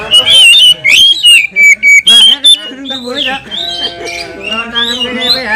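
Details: Oriental magpie-robin in emotional 'kanibal' singing that goads rival kacer. Loud clipped whistles repeat rapidly for two seconds, followed by lower, stacked, nasal, rolling phrases under faint high notes.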